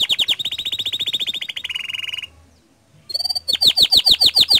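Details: Vigorous canary song, meant as a lure to set other canaries singing: a long fast rolling trill of sharp notes, a brief silence, then a clear whistle and a run of loud repeated downward-sweeping notes.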